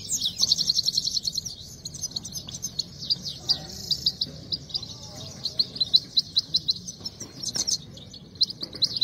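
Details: Himalayan goldfinch (saira) in a singing fight gives a fast, high, twittering run of tinkling notes, pouring out almost without pause, over a faint low background murmur.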